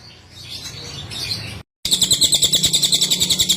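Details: Sunda whistling thrush, locally cililin, a master song recording: soft high warbling notes, a brief break, then a fast run of sharp repeated high pulses about four per second.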